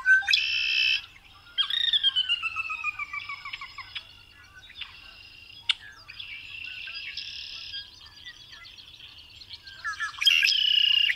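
A red-winged blackbird gives harsh, buzzy bursts at the start and end, with slurred, falling whistles and quick chattering notes in between.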